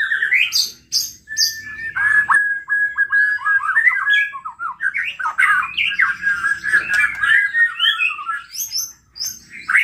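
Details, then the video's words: Aggressively excited white-rumped shama singing to provoke rivals: harsh squawky notes and high whistles open, followed by a long fast chattering, trilled passage, with a faint low hum behind. "PANCINGAN MURAI BATU GACOR EMOSI SEKALI DENGAR BONGKAR ISIAN"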